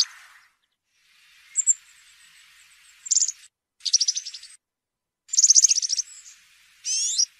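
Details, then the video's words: European serin, campero song style for tutoring young serins: a thin high whistle, then several rapid, shimmering trill bursts and a final buzzy rising-and-falling phrase, with short pauses between them. "𝗩𝗘𝗥𝗗𝗘𝗖𝗜𝗟𝗟𝗢 𝗖𝗔𝗡𝗧𝗔𝗡𝗗𝗢 𝗖𝗔𝗠𝗣𝗘𝗥𝗢"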